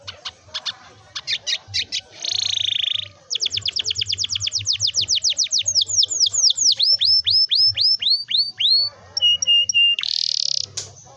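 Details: Canary delivering a long varied rolling song used to get young canaries singing: clicks, a buzzy note, a long accelerating trill running into repeated swooping downslurs, paired clear notes, and a closing buzz.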